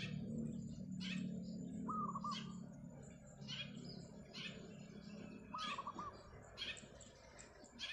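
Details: Wild zebra dove on roof tiles one morning, singing very actively: two short cooing phrases of quick stuttering notes about four seconds apart, with frequent sharp chirps from other birds and a low background rumble.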